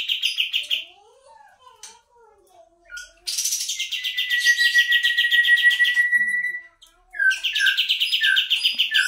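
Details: A kapas tembak bulbul lure song with a high rattling trill, a quiet gap with faint soft notes, then a long buzzy trill over a steady whistled tone and more rapid chatter.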